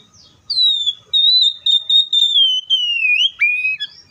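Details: Oriental magpie-robin singing a sustained pure whistle, starting with a brief downslur, then held high and steady across several joined phrases that drift slowly downward before a sharp break to a lower, level note and a short upward flick.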